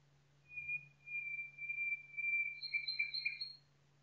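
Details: Nightingale singing in woodland: one long, pure, level whistle held for about two seconds, then a quick rattle of repeated doubled notes higher up, over a constant low hum.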